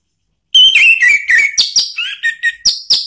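Orange-headed thrush singing a rapid, varied phrase of bright whistles and sharp chirps, about ten quick notes in under three seconds.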